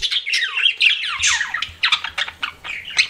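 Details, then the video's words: Close pet budgerigar chirping: quick rising and falling squeaky whistles and chattered notes in fast succession, several birds overlapping. "CUTE PET BUDGIES CHIRPING"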